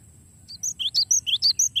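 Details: Long rolling song of the gelatik batu, or cinereous tit, meant for tutoring songbirds: rapid bright chirps, roughly eight notes in under two seconds, swinging between higher and lower pitches, with a soft low background hum.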